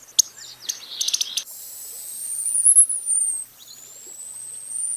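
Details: Costa's hummingbird (Calypte costae) song: after a burst of sharp high ticking, one long, thin, piercing whistle rises steadily to a peak and falls away, then a shorter rising whistle begins.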